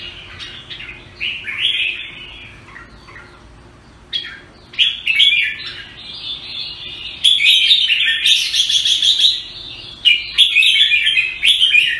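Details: Singapore red-whiskered bulbul (jambul) in extended song: scattered clipped notes build into long bouts of fast bubbling, slurred whistles, rising in intensity through the second half with brief pauses between bouts.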